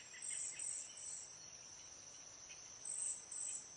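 Cedar waxwings give very high, thin, hissing trills in short bursts, several in the first second and two more near the end, over a steady insect-like drone.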